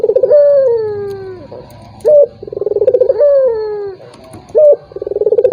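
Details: Turtle dove lure sound for a rival slow to call: a quick high note leads into a trembling, downward-gliding coo, repeated roughly every two and a half seconds.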